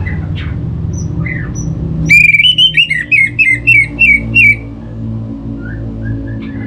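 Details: Orange-headed thrush from North Bali, Singaraja, singing to prompt kept thrushes into song: a two-second string of about eight bright, wavering whistled notes, preceded and followed by faint chirps over a humming background.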